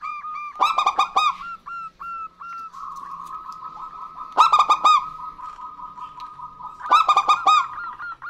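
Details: Local zebra doves, female and male, calling in turn. Three loud bursts of fast, ringing notes come roughly every three seconds, separated by long low sustained cooing trills and a faint low hum.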